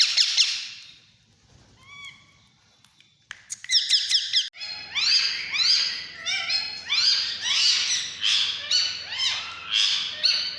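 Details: During hand feeding, Alexandrine parakeet chicks make insistent begging squawks: harsh, rising, harmonic calls repeated in quick pulses that grow steady and loud. A soft mechanical hum runs underneath.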